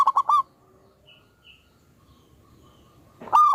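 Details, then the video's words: A very vocal local zebra dove with a big voice gives a brief run of three quick, ringing coo notes. It pauses in near silence, then starts a loud new phrase at the end. "Pancingan burung perkutut Lokal Alam super Gacor suara Besar"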